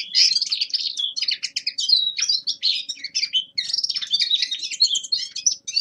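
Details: Winter song of a young male linnet: dense, fast twittering warble mixing chattering notes, short trills and whistled slurs, delivered in an unbroken stream.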